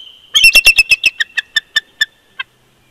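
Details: Bald eagle pair duetting at their nest at Big Bear Lake, California, in winter, 22 February 2020: a quick run of about twelve sharp, high, squeaky chirps that start fast and loud, then slow and fade into a last isolated note.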